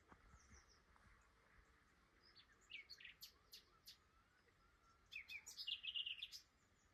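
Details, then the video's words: Migrating Common Nightingale passing through Flowersbrook, Isle of Wight, after wintering in Africa south of the Sahara, singing early in the morning: scattered sharp high notes, then a fast run of repeated bright notes near the end, quiet background. "Very rude Nightingale woke me up this morning!"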